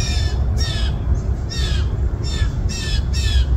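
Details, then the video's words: Hungry fledgling blue jays begging in a yard on 20 June 2024, parents now urging them to forage: loud harsh descending squawks, about one per second, over a constant low rumble. "Baby Blue Jays"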